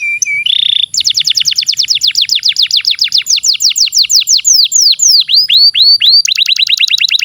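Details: Canary song for training young and non-singing canaries: a long run of rapid downward-sweeping whistled notes, then looping slurred phrases and a fast buzzy trill at the end, all high-pitched and clean.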